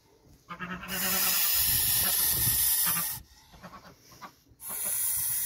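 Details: Goose protecting its nest: a short low nasal grunt, then a forceful two-second hiss, a pause with soft rustling, and another hiss starting at the end.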